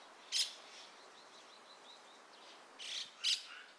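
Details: Dusky thrush (Turdus naumanni eunomus) at Gaikotsu-yama on 27 January 2021: two sharp, harsh clipped calls, one early and one near the end, with faint soft chirps between, over a quiet background of separately recorded ambient sound.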